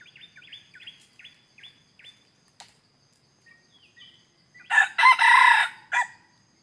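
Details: Red junglefowl used as a decoy to lure wild birds, recorded 17 May 2021: a run of short, downslurred chirping notes, then a loud, harsh, broadband crow near the five-second mark and a brief final burst.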